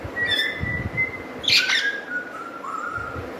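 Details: Friendly pet parrot learning to talk whistles: a long steady mid-pitched whistle sliding slightly downward over about three seconds, with a brief brighter burst in the middle, background room noise.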